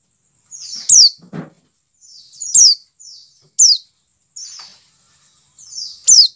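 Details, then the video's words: White-eye giving the 'dakun' call style, used to get captive white-eyes singing: a soft buzzy descending note, then a loud, sharp, high downslurred note. Four such pairs come at irregular gaps, with one brief low rasp early on. "CALL PLECI DAKUN cepat menjadikan pleci buka paruh"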